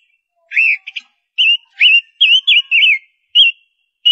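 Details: Whistled phrase from a female ngũ sắc lure bird: arched and wavy clear notes repeated in quick order, with a couple of short chirps between.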